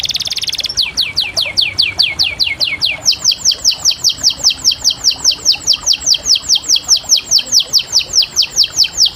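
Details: Canary song: a brief buzzy trill, then long runs of downward-sweeping whistled notes repeated rapidly and evenly, the second run faster and higher.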